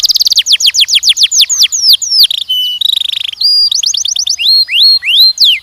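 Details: Canary song from young males and females kept for mating training: fast rolls of repeated downward-sweeping whistles change to steady buzzy trills, then to brisk rising notes, all loud and clear.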